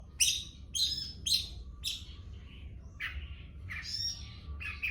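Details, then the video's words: Long-tailed shrike in trotol style: a run of harsh, raspy squawks, three quick bursts at the start followed by shorter, lower rasping notes, about two per second, with a steady low hum underneath. "Trotol cendet"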